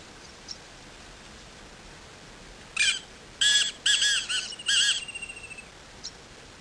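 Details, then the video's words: A Black Francolin at Agamon Hula, Israel, on 16 March 2010 gives one loud, harsh, grating phrase of several clipped notes trailing into a quick fading rattle, against a quiet background. "Black Francolin - פרנקולין"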